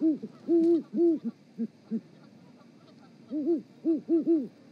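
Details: Mating duet of a great horned owl pair on the Charlo, Montana osprey nest, filmed by live cam on the evening of 7 February 2018: a burst of low overlapping hoots, a short pause, then another cluster of paired hoots.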